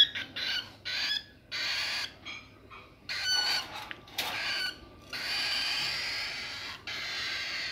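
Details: A baby cockatiel being hand-fed gives harsh, raspy begging calls in repeated bursts, crying for food.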